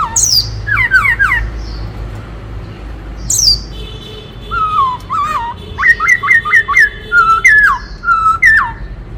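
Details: Black-throated laughingthrush, a forest laughingthrush singing in many voices: bursts of sharply falling whistles and high squeaks, then a long run of bright whistled phrases, some warbling, repeated roughly twice a second.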